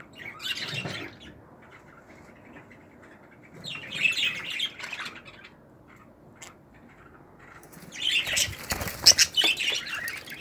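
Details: Budgerigar chicks from a 2018 clutch in a family of pearl-marked birds, single and double factor. Three bursts of harsh, raspy, hissing calls come around one, four and nine seconds, with quiet gaps between them.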